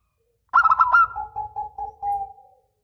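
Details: Singing local zebra dove delivering a long phrase meant to draw replies from other doves. A quick, rolling series of trilled coos runs into a string of lower, evenly spaced coo notes that slowly fade out.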